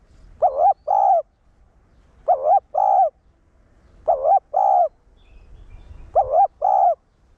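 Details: Caged-male stimulating coo of a spotted dove in 'one-ending' form: four clean phrases of a trembling first note and a steady drawn-out second note, spaced about two seconds apart over a quiet background.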